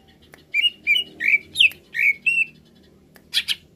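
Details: Greater green leafbird, being provoked to sing and get worked up: a series of short slurred whistled notes around a steady pitch, about six in a row, followed after a pause by a brief burst of harsher chirps.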